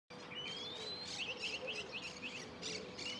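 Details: Lark singing from the top of a pine: a long rising whistle, then a quick series of five sharp chirped notes, with a thin upward whistle at the end over a steady hiss of background birdsong.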